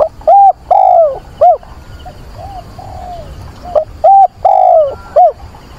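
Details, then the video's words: Decoy dove cooing to call a mate on a windy, rainy 24 September: a rhythmic phrase of low, hollow notes, short then drawn-out then short, with softer coos between, over faint wind and rain hiss. "Chim cu mồi gáy gọi tìm bạn"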